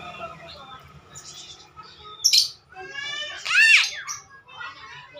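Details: Talking Javan myna producing a harsh burst, then a loud rising-falling harmonic squawk that sounds like a voice, separated by short quiet gaps, in a quiet indoor-sounding setting.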